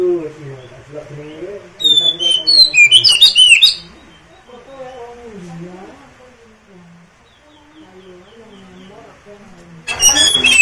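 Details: Oriental magpie-robin (kacer) singing, played so other kacer will reply, sing eagerly and open their tails: a loud two-second run of bright whistles and fast twittering chips, a long quiet stretch of low murmur, then another burst starting.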